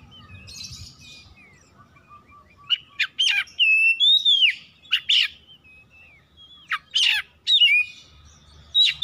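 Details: Household oriental magpie-robin singing as bait for singing birds: scattered sharp chirps and sliding whistles with gaps, after a low rumbling start.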